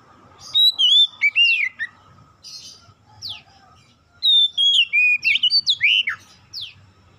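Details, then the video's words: Song of an oriental magpie-robin played to spur other magpie-robins into singing; bright whistled notes slide up and down, mixed with fast chirps and steep descending sweeps in two lively bursts. "PANCINGAN Kacer bahan cepat gacor"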